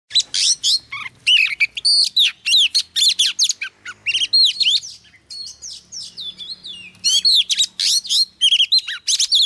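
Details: Wild-caught female Oriental magpie-robin singing to stimulate males: a dense, fast run of varied whistled, slurred and chattering notes, mostly high-pitched, repeated in quick bursts throughout with only brief pauses.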